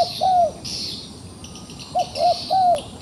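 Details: Coos from a wild pigeon stuck in a trap and still combative: a long falling coo, a pause, then three quick cooing notes, under constant high insect noise.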